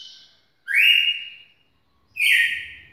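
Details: Red-cowled cardinal singing: loud, clear whistled phrases, each a sustained bright note held about a second with a slight downward slur, separated by short silences.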